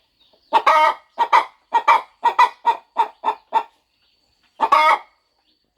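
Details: Farm mother hen settling on her nest before her eggs hatch gives a steady run of evenly spaced clucks, about two per second, then a pause and one louder, longer cluck.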